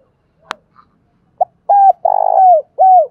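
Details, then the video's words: A decoy spotted dove's urging coo, meant to draw wild doves quickly: a sharp click and a faint note, then a brisk series of low, hoarse coos with one drawn-out rolling coo in the middle. "cu gáy mồi thúc và gáy gọi dùng kích bổi hay và nhanh gáy"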